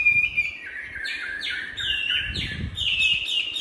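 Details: Chinese hwamei, caged and tamed, Hanoi, Vietnam, delivering fighting song: stepwise whistled notes jumping up and down in short blocks, lively and varied, with a low rumble midway.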